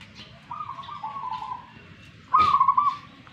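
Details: A local zebra dove from Tuban, East Java, said to be fighting. It sings a long, level coo followed by a louder, rolling, trilled note. A man's coaxing voice is heard faintly at the start.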